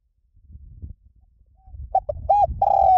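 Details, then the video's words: Spotted dove played as a lure to train doves to coo back, in the Liw Tan cooing style: after low rumbling background, short hollow coo notes end in a sustained, slightly falling coo. "สำหรับเปิดล่อนกเขาใหญ่ฝึกต่อ ให้ขันโต้ตามเสียงนกเขาใหญ่หลิ่วตัน"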